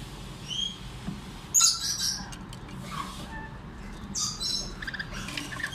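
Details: A hand-raised young lorikeet chick gives thin, high chirps, then a burst of harsh, raspy squawks and wheezy screeches in short uneven bursts over a low background hum.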